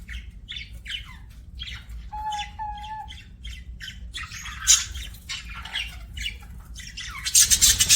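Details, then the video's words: Budgerigar chattering in quick, scratchy chirps and warbles, several per second, with a clear whistled note midway and harsher squawks near the end. "BUDGIE CHIRPING SOUNDS"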